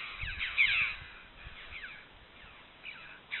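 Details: Red-billed chough recorded by camera trap in limestone canyons gives a loud, harsh, ringing call near the start, followed by a few fainter squawky calls over a quiet background.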